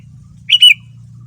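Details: A single whistled phrase from a male kutilang, the sooty-headed bulbul, played as a lure so other bulbuls answer: two fast connected whistles, rising then gently falling, with a steady low hum underneath.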